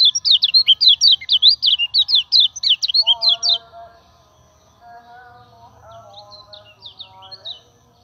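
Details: Lure song of a common iora for training other birds: a loud rapid string of sharp, zigzagging chirps for three seconds, then softer lower warbled tones and a faint return of quick chirps near the end.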